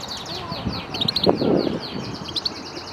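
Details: Caged European goldfinch in a custom wood cage, recorded for singing training: quick twittering chirps and short rising and falling notes, repeated in a rapid run, with a brief low rumble in the middle.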